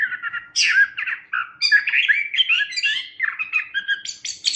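A Chestnut-capped Thrush sings a fast, unbroken medley of rich warbled phrases and sharp high notes, jumping between low and shrill pitches with hardly a pause.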